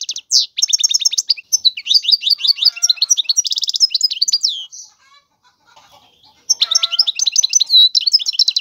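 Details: European goldfinch in full song, a dense, hurried cascade of high twittering chirps and buzzy trills lasting several seconds, a quiet gap, then the rapid jingling phrases start up again.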